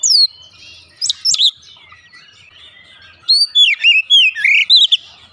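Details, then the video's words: Lure song of an Oriental magpie-robin, meant to make a bird open its beak and sing: a high whistled opening, a short pair of sharp notes, then a quick run of rising and falling whistles. "pancingan Kacer langsung buka paruh GACOR"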